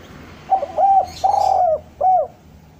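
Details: A spotted dove sings a low three-note coo used to lure doves down: stuttered opening, drawn-out quavering middle note, short falling end note, with some faint high background chatter.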